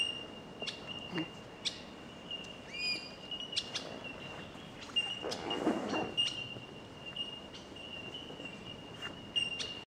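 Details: Bell Miners (bellbirds) at Katoomba keep up a high, pure, bell-like ringing on one steady pitch throughout, with brief chirps from other birds and scattered clicks.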